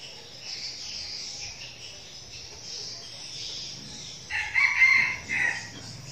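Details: Red junglefowl kept as a young decoy bird gives one crow of about a second, layered harmonic phrases, after several seconds of constant high cricket chirring.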